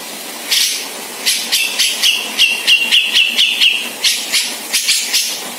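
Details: Grey-cheeked bulbul from Sumatra in its dominant 'ngebeset' singing style: harsh, buzzy, high notes repeated about four times a second over five seconds, with a thin steady whistled tone running beneath the middle of the series.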